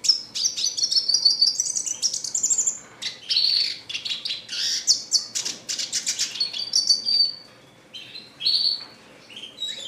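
A red siskin sings a fast, high twittering song of chattering notes and thin buzzy trills, with brief pauses between phrases.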